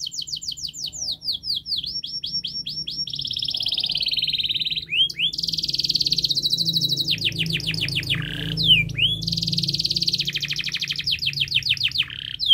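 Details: Canary in long, fast, dense song used as a model for young canaries learning to sing: high rapid trills alternate with rising and falling whistled sweeps and broad buzzy rolls, running continuously for over twelve seconds.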